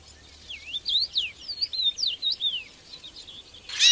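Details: Strange song of a red-headed bird in the wild: a quick series of thin, sweeping whistles rising and falling sharply, about six notes in three seconds, ending with a sudden noisy burst.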